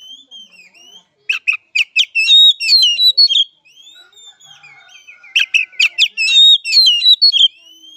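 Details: Oriental magpie-robin training song for young birds: soft thin whistles, then two bursts of fast, loud, varied chips and twisting whistled notes about four seconds apart.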